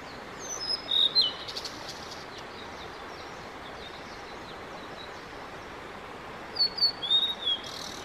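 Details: A male Blue-and-white flycatcher (Cyanoptila cyanomelana), singing for about 15 minutes on 5 May 2022, gives two short phrases of high, clear whistled notes, some sliding down, about six seconds apart over a steady rushing hiss.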